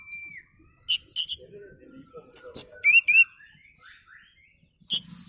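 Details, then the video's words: Oriental magpie-robin in relaxed song used as a lure: a held whistle, sharp chips and clicks, then a bright run of quick rising whistled notes and soft descending slurs. "kicau Kacer santai ampuh buat pancingan"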